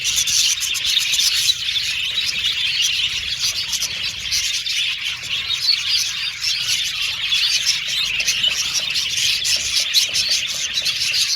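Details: Budgerigars singing in an aviary colony: a long, steady chorus of overlapping chirps, warbles and squeaks from numerous birds, busy and continuous from start to finish.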